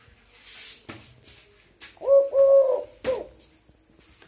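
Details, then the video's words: Tame Eurasian collared dove still calling near eight at night, a single three-syllable coo with the long middle note, amid soft knocks and rustles in a small room. "দৈল ঘুঘুর ভাইরাল ডাক -Tame Eurasian collared dove sound"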